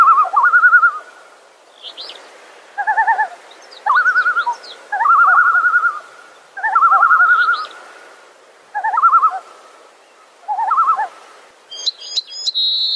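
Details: Great northern diver calling in the wild: repeated short tremolo bursts of fast quavering, laugh-like notes with gaps between them, plus brief high chirps of another bird and a sharp high call near the end.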